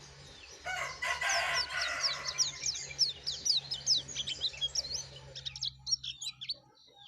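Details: Yellow-breasted white-eye singing hard, meant to draw other white-eyes: high, rapid chirping phrases partly masked by broad noise and a low hum early on, clearer and crisper toward the end.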